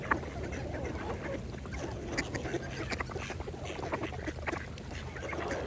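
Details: Several mallards feeding at a pond, with a dense patter of dabbling clicks and soft, low nasal calls against calm water sounds.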